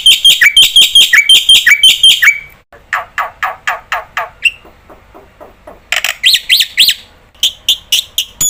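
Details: Black-winged starling, a vocally active bird used as a lure to set other starlings calling: loud harsh chattering notes in rapid repeated bursts, broken by abrupt cuts into quieter rasping series and later sharp upslurred squawks.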